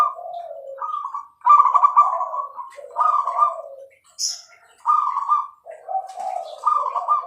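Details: Actively singing zebra dove with a clear voice: bursts of rolling, trilled cooing with a bright upper tone, separated by short pauses. A single high chirp falls in the middle.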